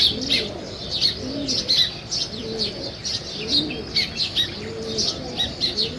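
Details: Sparrows chirping on a village morning as weaver birds build a nest: bursts of sharp high chirps several times a second, mixed with regularly repeated low dove coos.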